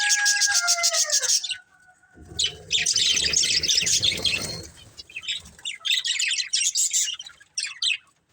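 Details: A colourful budgie family keeps up rapid high chirping and warbled chatter, opening with a falling whistled note and passing through a noisy, rustling middle stretch before crisp chirp bursts resume.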